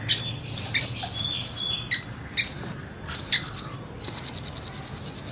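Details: Velvet-fronted nuthatch (rambatan) singing in a clear, fast, tightly spaced style with long rolls: short bursts of very high, thin, rapid trilled notes, ending in a longer even trill, with brief silent gaps between.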